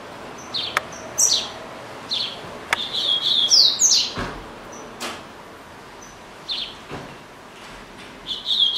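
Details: Household double-collared seedeater singing through the day: short high chips and bright twittered phrases in scattered bursts, mixed with sharp clicks and knocks in the room.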